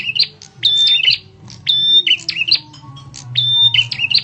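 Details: Bar-winged prinia giving a loud, sharp lure call used to draw other birds: high chirpy phrases mixing buzzy notes and a thin steady whistle, repeated about once a second over a low background hum.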